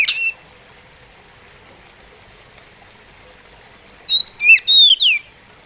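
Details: Oriental magpie robin singing in a slow style: one sharp note, a long quiet pause, then a quick run of loud, clear whistled notes sliding up and down at the end, over faint steady background hiss.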